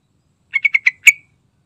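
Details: Yellow-vented bulbul delivering a short chattering run of four rapid, evenly spaced notes, then a stronger accented final note that fades out, with no other sounds present.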